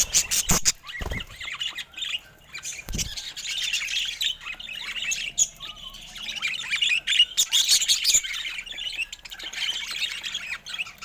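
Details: A group of colorful pet budgerigars chattering with rapid chirps and soft warbles, opening with a few sharp clicks and taps.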